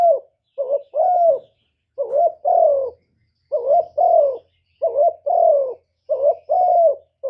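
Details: Spotted dove cooing in clear paired phrases: a short wavering note, then a longer, smoothly falling coo, repeated about five times with short pauses. No other sounds.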